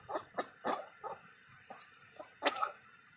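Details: Morning calls of Indian Runner ducks: a series of brief, nasal, rasping quacks, spaced irregularly with a louder pair near the end.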